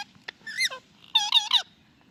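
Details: Pet Indian ringneck parakeet producing chattering talking-parrot sounds: a short click, a rising-then-falling squawk, then a wavering, warbled series of rough nasal notes before quiet.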